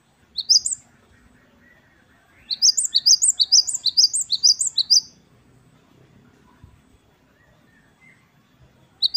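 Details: Great tit, locally called gelatik batu wingko, singing in the wucit wucit kristal style: a brief high trill, a pause, then a long run of about ten thin, sharp rising-falling notes repeated rapidly, followed by quiet and one final note.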